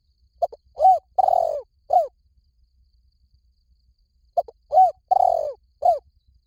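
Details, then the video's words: Spotted dove calling as a decoy that is said to draw wild doves in quickly: two phrases of four or five short, mellow hooting coos, the middle one longer and drawn out, about four seconds apart, in a quiet setting. "เสียงนกเขาใหญ่ หมานๆ ต่อเข้าเร็ว ป่าไหนก็เข้า"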